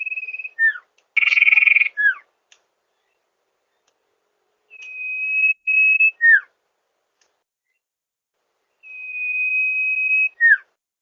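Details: Sirpu (also called sirdung) song used as a lure: long steady whistles followed by quick downslurred notes, with one loud buzzy burst near the start, phrases separated by several seconds of silence.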